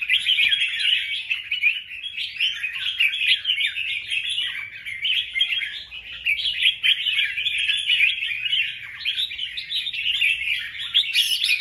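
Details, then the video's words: Red-whiskered bulbul male in song to lure a female, recorded 24 January 2024: a continuous, rapid-fire stream of bright, scratchy warbles that barely pauses, likened to a machine gun. "Chào Mào Trống Dụ Mái Hót Choé Như Liên Thanh"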